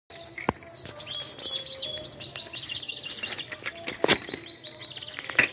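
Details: Captive European goldfinch from 2021 coming into breeding condition, singing a fast, liquid stream of high twittering and tinkling notes with buzzy trills and a few sharp clicks.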